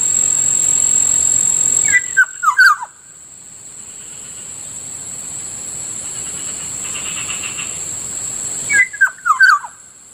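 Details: Black-naped oriole (Kilyawan, Kikiyaw in Bicol) by a rice field in the morning: two separate bursts of rich, descending fluty whistles about seven seconds apart, with a constant shrill insect background.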